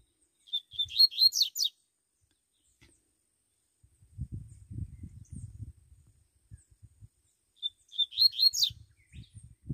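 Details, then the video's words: Wild double-collared seedeater in the bush giving two bright, high-pitched song phrases about eight seconds apart, each a fast burst of sharp, swooping notes lasting about a second, with low human talk in the gap between them. "coleiro soltando canto no mato"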